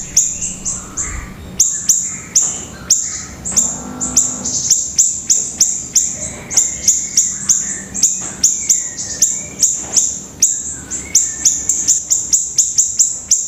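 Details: A pleret in full, constant song: very high, sharp ticking notes repeated rapidly, about three per second, for the whole stretch. Lower whistled and slurred phrases weave in between the ticks, with faint background hum.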